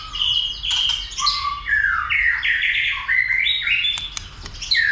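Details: White-rumped shama pushed to sing a lot and to fight: rich continuous warbling of stepped whistles at varied pitches, with a few sharp clicks.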